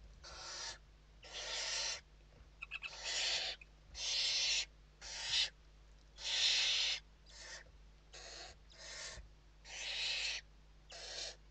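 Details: Inside a Western barn owl nest in Spain on the evening of 29 November 2023, during feeding: eleven rough, wheezing screeches in quick irregular succession, some short and some drawn out, over a faint steady hum.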